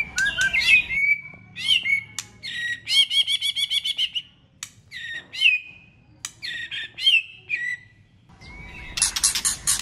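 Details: White-rumped shama singing a many-voiced competitive song to rouse other birds: buzzy rattling trills, repeated clicks and bright whistled slurs in varied phrases, ending with a harsh noisy burst.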